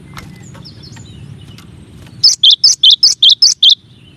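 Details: After a quiet start, a cinereous tit delivers eight evenly spaced two-note phrases, each a high note dropping to a lower one, in a crisp, regular masteran series.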